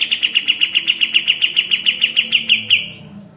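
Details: Sooty-headed bulbul singing energetically, recorded as a master for training cage birds: a steady rattle of clipped, bright chirps, about six each second, ending in one slightly longer note that fades out.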